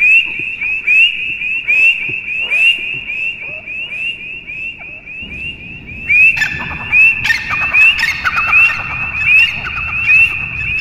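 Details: Partridge (teetar) repeating a steady rhythm of short rising whistles, about one per second; a second, rougher voice overlaps midway, giving the later part a fuller, harsher texture.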